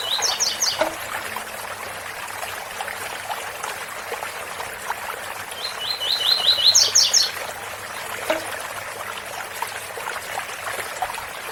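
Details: Double-collared seedeater singing tui-tui beside a waterfall. The end of one phrase opens the recording, and a full phrase of quick repeated notes with a high finish follows midway, over constant rushing water.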